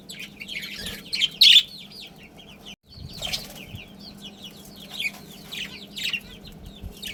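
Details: Australian parrots, a Budgerigar breeding pair with their family, chatter in busy slurred chirps, with a loud harsh burst at one and a half seconds and a brief break near three seconds.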